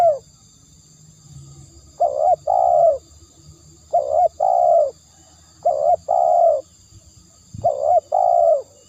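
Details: Spotted dove singing steadily: a short coo answered by a longer drawn-out coo, repeated in four evenly spaced pairs. A faint low rumble sits underneath.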